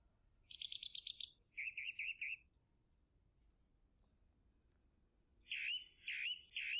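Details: Chalk-browed mockingbird delivering a fast high rattle and a few rolling whistled notes, then silence for about three seconds before three loud, rough swooping phrases.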